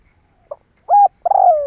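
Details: Spotted dove cooing call used as a lure to provoke other doves into calling: a short soft note, then a clipped arched coo and a longer slurred coo falling in pitch, all low and mellow with a quiet background.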